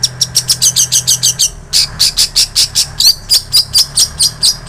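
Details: Long-tailed shrike song borrowing from bar-winged prinia and canary, intended to teach songbirds: evenly spaced, piercing high chips, around two per second, with a few clipped twitters, over a low droning hum.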